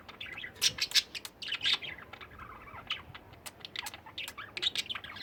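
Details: Several pet budgerigars at home during cleaning time, chattering busily: quick high chirps and squeaky notes in bursts, a lower sliding warble in the middle, then renewed fast chirping to the end.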